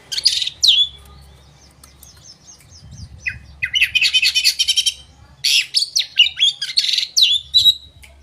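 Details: Oriental magpie-robin singing as a lure to stir up rival birds: sharp whistled notes open, then dense bursts of high, chattering and warbled phrases, each burst a few seconds long with short gaps between.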